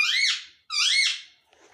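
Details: Parrot uttering two loud, harsh, harmonic squeaky calls, each falling then rising, about half a second apart, followed by a faint rustle.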